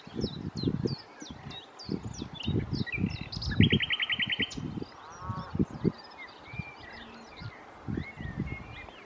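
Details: Common nightingale singing at Challow Hill, Corfe, on 4 May 2015: scattered whistled upslurs, then a fast buzzy trill of evenly repeated notes, under heavy low wind rumble.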